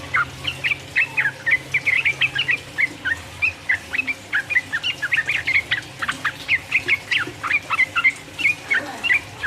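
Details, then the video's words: Sooty-headed bulbul pouring out fast 'ropel uplik uplik' chatter meant to excite rivals: steady stream of clipped, bubbly chirps, many per second, hardly a break, over a soft low drone. "trucuk gacor ropel uplik uplik merangsang lawan"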